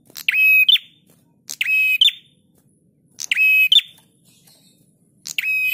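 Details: Master song of a prinia used to train cage birds. Four rasping, insect-like buzzes come at uneven gaps of about one to one and a half seconds. Each starts with a clipped note and ends in a high chip.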